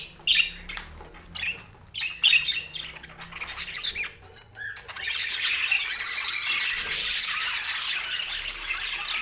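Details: Household budgies start with scattered clicks and short squawks, then break into sustained, busy, high-pitched warbling chatter that lasts to the end.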